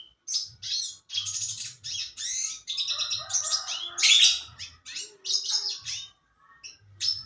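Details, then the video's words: Red siskin in lively full song, a rapid, continuous run of high twitters, buzzy trills and squeaky notes with brief pauses and a few lower warbled phrases. "RED SISKIN GACOR"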